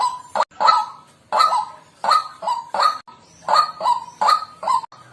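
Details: White-breasted waterhen: strong, rasping honks spaced irregularly, some clustered in twos, with abrupt cuts of silence between phrases.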